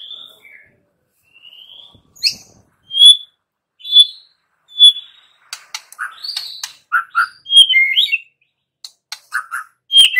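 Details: Song of a white-rumped shama, played to spur young wild-caught and pastol shamas into singing: clear separate high whistles at first, then quicker varied warbled and chipped notes, loud and crisp throughout.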